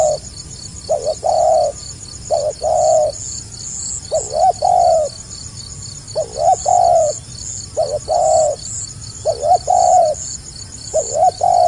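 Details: Spotted dove, tekukur gagap calling, with regular phrases of two or three short stuttered coos repeated roughly every one and a half seconds, fairly distant, over a constant buzzing insect chorus.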